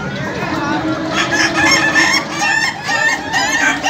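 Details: Rooster of the laughing chicken breed at a crowing contest final, starting softly and then breaking into a long, fast, cackling laugh-like crow of stacked harmonic notes, other birds and murmuring people audible.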